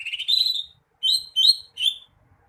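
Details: Greater green leafbird song: a long rising warbled phrase, then three clear, high whistled notes with buzzy harmonics, each slightly upslurred, delivered in quick succession.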